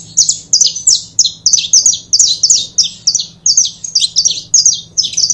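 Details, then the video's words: Loud, steady saffron finch song from a pair, used to stimulate other birds to sing: rapid, evenly spaced high chirps and short sliding notes strung together almost without pause, a low hum underneath. "Casal de Canário da Terra Bom Para Foguear!!!"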